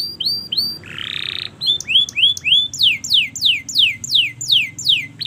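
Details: Canary song for training young canaries to learn to sing: upswept whistled notes, a buzzy burst, then a run of steep descending slurred whistles about three per second.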